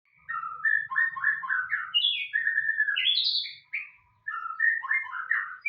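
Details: White-rumped shama singing a varied run of whistled phrases, quick rising and falling notes from low fluty tones to higher bright slurs, with brief pauses between bursts; faint low rumble beneath.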